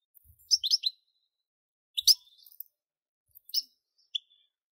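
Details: European goldfinch singing in short bursts of bright, high twittering notes, quick liquid chirps and trills separated by brief pauses, with a clear background and no other sounds.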